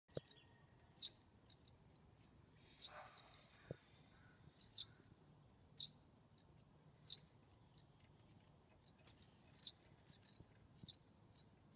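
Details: Violet-green Swallow nestlings at a nest box, day 19 after hatching, in the morning with a parent flying by to feed, give thin, very high chips, often doubled or in quick clusters, every second or so over a faint hiss.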